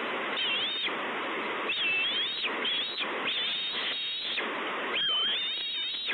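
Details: Bald eagle chick calling out for food at Two Harbors, 30 May 2013. Irregular runs of thin, high, wavering whistles, some bending down then up, sound over steady rushing wind-like noise.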